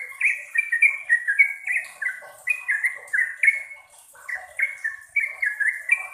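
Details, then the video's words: Yellow-vented bulbul pouring out long song bursts, strings of clear, downward-sliding whistles about three or four per second, one short break, then the chattering run resumes; a high faint steady whine underneath. "Trucukan Gacor Roppel Panjang - Panjang"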